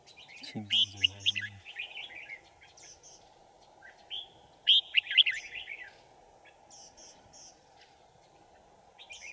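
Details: Red-whiskered bulbul at a trap for wild bulbuls, 5 January 2018: rich warbled phrases in bursts several seconds apart, a brief low buzzy sound near the start, thin high chirps between phrases.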